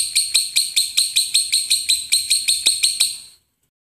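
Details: Shrill lovebird notes repeated at a steady pace, about three a second, each bright and ringing, before the sequence stops abruptly into silence; recorded for training contest birds.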